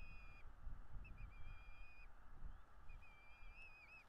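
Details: Bald eagle at a nest in northeast Florida, filmed by a nest camera on 9 February; thin high whistled notes, some steady and some wavering, come in two bursts over a low rumble of wind.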